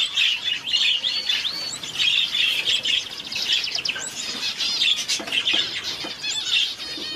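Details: Society finch chicks, two hand-fed one-day-old babies too weak to open their mouths well. Continuous high, thin chirping and buzzy twittering runs almost nonstop, with short sharp clicks and faint rustling mixed in.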